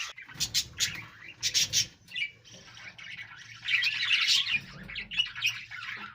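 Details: Budgerigar group chirping: opens with a few sharp, harsh squawky bursts, then settles into a long stretch of fast, high warbling chatter with overlapping tweets through to the end.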